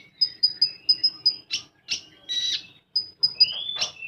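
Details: Rapid volleys of short, high, clipped notes from a common iora, about six in a row, followed by rasping bursts and a rising whistle, then another quick run of piping notes in full rapid-fire song.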